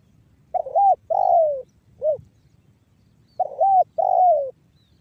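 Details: Spotted dove giving 'banggo bocor' coos, Cirebon Utara, West Java, used to stimulate other doves to call: hooked note, long downslurred coo and a brief extra note, then the two-part phrase again.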